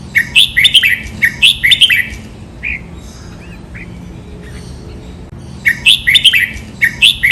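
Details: Red-whiskered bulbul song used for training birds, in the double counted-note master style with drawn-out finish. Two bursts of quick, bouncy whistled phrases are separated by a few seconds of scattered soft notes.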